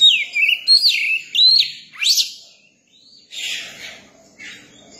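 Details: Young Oriental magpie-robin singing: a run of loud, clear whistled notes that swoop down and up, ending in a sharp rising whistle, then a pause and softer rough buzzy sounds.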